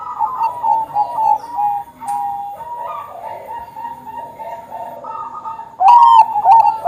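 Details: Zebra dove of the Bangkok variety, singing eagerly as a lure to make others sing. A long run of soft, hurried, whistled coo notes at steady pitch ends in a sudden loud, rising phrase.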